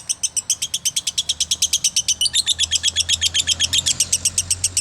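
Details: Loud, rapid lovebird chirping, high notes repeated about four a second, the later notes becoming sharper and more ringing over a soft low hum.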